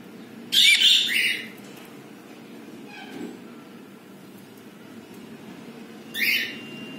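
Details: Captive pet budgerigars, a pair that has just laid its first egg, give a harsh screechy call followed by a second shorter one about five seconds later, over a quiet indoor background hum.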